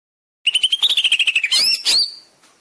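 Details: Greater green leafbird master song for training caged birds: a quick, even trill of chipped notes wavering slightly in pitch, followed by two loud sweeping whistles that fade away.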